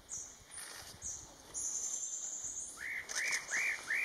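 Spot-breasted parrotbill: thin, hissing high notes, then four quick arched, slurred calls about every half second, over a faint steady high whine.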